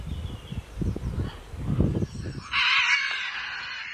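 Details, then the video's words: Flying scarlet macaws at Paradise Park, Hayle, Cornwall: low murmuring and thumps give way to a sustained, coarse, rasping screech filling the last second and a half. "Scarlet Macaws Flying"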